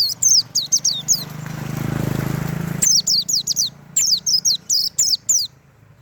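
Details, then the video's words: White-eye known as pleci in tembakan song style: clusters of very high, rapidly falling chirps in fast series, interrupted midway by a swelling low rushing noise, then resuming in several brisk bursts. "tembakan burung pleci mantap abis"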